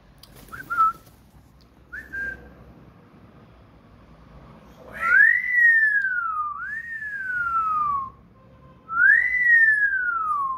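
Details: Pet talking common hill myna, said to think it is a raptor and attack its owner, gives two brief clipped notes, then three long, loud whistles, each rising quickly then sliding down, about one every two seconds, in a quiet room.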